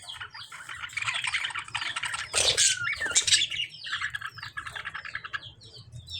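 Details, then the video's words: Lovebirds and budgies fighting: steady rapid chatter and shrill chirps with a sudden loud harsh screech burst, followed by quick, repeated downslurred squeaks. "Lovebirds fighting with budgies | Dangerous fighting in lovebirds and budgies | bird chirping sound"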